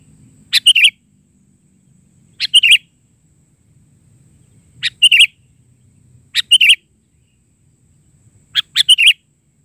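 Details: Sooty-headed bulbul delivering gacor isian song in the bahari style, five short bursts of tight chirpy notes spaced roughly two seconds apart, clean and bright with only a soft low rumble beneath.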